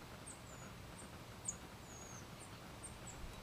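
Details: A fledgling California towhee in its first hours out of the nest, with its parents teaching it, gives thin, very high peeps and short down-slurred squeaks about every half second over a low steady rumble.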